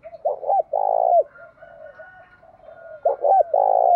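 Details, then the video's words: Decoy spotted dove used to set wild doves cooing, with two deep phrases of paired short notes and a long coo over a faint, steady background hum. "chim cu moi thúc đấu rút bổi gáy theo hiệu quả/ bổi nhát mấy nghe là gáy"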